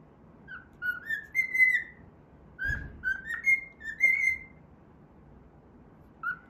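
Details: Cockatiel singing while it plays, whistling a melody from the Pythagora Switch opening theme. Short, rising, pure-toned notes come in two bursts, with a soft knock between them and indoor hush behind.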